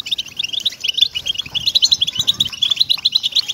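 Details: Short burst of European goldfinch song, used to get captive goldfinches singing. Crisp, high, jingling twitter notes come in rapid clusters, with a faint low rumble underneath.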